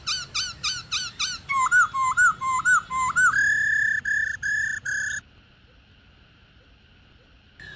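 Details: A wild-caught female black-throated laughingthrush giving the 'ro ro' call that urges males to sing: quick arched notes leading into curling whistles, then four long flat buzzy notes, followed by near silence.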